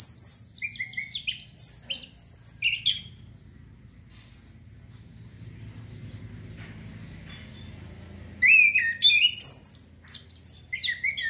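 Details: Orange-headed thrush song played to stimulate breeding urge: bursts of varied high whistled and chirping phrases, some rising, for about three seconds, a quiet pause with low hum, then another lively run of sharp notes.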